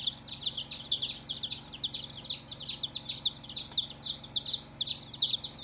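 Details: Day-one chicks chirping as a flock, producing a steady blanket of high, thin peeps that each fall in pitch, tumbling over one another without a break, with a low background drone.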